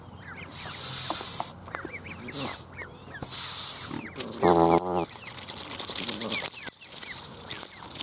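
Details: Canada goose hissing a lot, giving three long, breathy hisses, then a short nasal honk, over faint background bird chatter.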